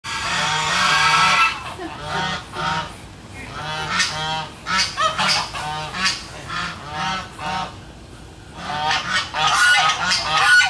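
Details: Domestic geese honking noisily, recorded 13 August 2016 alongside ducks; harsh nasal honks come in irregular bursts with overlapping calls, a loud flurry at the start and again near the end, quieter scattered honks between.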